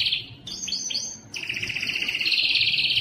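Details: Canary singing, Belgian and Spanish timbrado song for training: a short trill, three quick rising chirps, then a long rapid rolling trill that grows louder toward the end.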